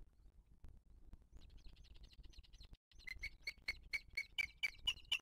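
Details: Booted eagle at its nest, filmed by a live wild nest camera in 2023 while the female feeds her chick; after a quiet, rumbling start, high thin piping notes repeat about four times a second, growing louder.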